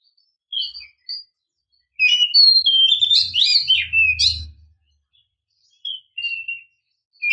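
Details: Oriental magpie-robin female calling to rouse the male into song. Short whistles lead into a loud burst of buzzy, chattering phrases, with a low hum beneath it, then more scattered whistled notes.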